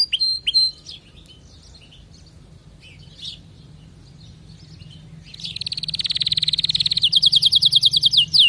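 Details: Canary singing, meant to help other canaries change their song: a few scattered chirps and short notes over about five quiet seconds, then a loud, steady rolling trill that builds and continues to the end.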